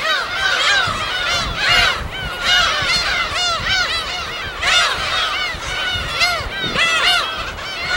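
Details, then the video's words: Field recording of a wild gull colony on uninhabited Gull Island, West Sea, Korea: waves of loud, curving squeals from many birds, peaking in busy bursts every second or so. "파도소리와 갈매기소리"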